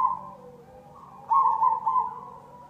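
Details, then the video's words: Zebra dove, cemani variety, lure song: a fading coo opens, then a loud, rolling, trilled cooing phrase with a short echoing tail, over a quiet low-pitched hum. "Pancingan perkutut cemani"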